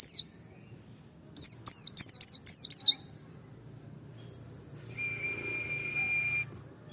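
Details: Merapi white-eye singing to provoke others: one high downslurred note, then a quick run of six falling notes. A steady thin whistle-like tone follows near the end.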